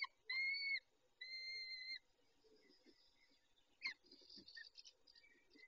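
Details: Peregrine falcon at a nest site, a male tending the females, recorded at 19:40 on 23-05-21: two drawn-out, steady whining notes about a second apart, then faint scattered chirps and rustling.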